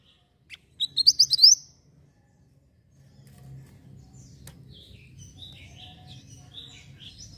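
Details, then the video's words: Javan white-eye, called mantenan in Indonesia, singing vigorously for song tutoring: one quick burst of high, rising chirped notes lasting under a second, followed by quiet with a faint low hum. "Burung Mantenan Gacor Volume Bening Ampuh Untuk Masteran"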